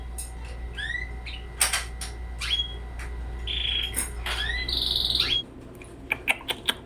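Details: Young red canary, twenty days old, caged indoors: upward-sweeping tweets and a sustained whistled note near the middle, then a run of quick clicks, against a constant low mechanical hum.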